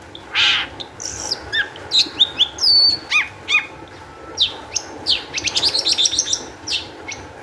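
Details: Long-tailed shrike singing in an excited state as a lure to set other shrikes singing: varied harsh notes, mimic-like whistles, a quick chattering rattle near the end and scattered sharp chips.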